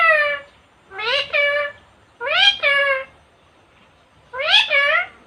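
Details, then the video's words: Indian pet parrot that talks, female, repeating a short two-syllable word three times, rising sharply then holding steady, about every two seconds in a quiet room. "talking parrot"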